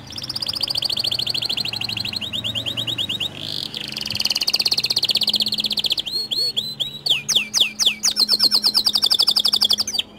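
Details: White canary lure song used to set other canaries singing: a long run of rapid rolling trills shifting between tours, with a brief break, then sharp swept notes and a fast pulsed trill.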